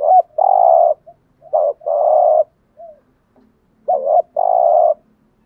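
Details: Spotted dove in 'gù thúc' coo style, used to draw in wild doves: three paired phrases, each a brief quavering note followed by a sustained low, even coo, with soft short notes in between and a faint low background hum.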